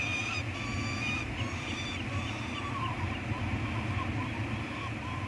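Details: Peregrine falcon chicks (eyasses) on Anacapa Island, 18 May 2022, while food is brought in and one chick practises wing-flapping. They give drawn-out, nasal wailing calls in several bursts, then shorter clipped notes, over steady low wind or surf rumble.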